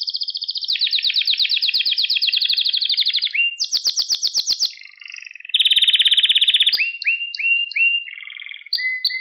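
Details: Canary singing to train young canaries: long rapid trills shifting pitch, a loud rolling burst, a harsh buzzy tour, then a string of short rising whistled slurs.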